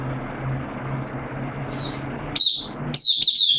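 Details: Caged oriental white-eye, hobby songbird, session on 8 September 2022: steady low humming background noise for two seconds, then a few sharp, high chirping notes breaking in toward the end.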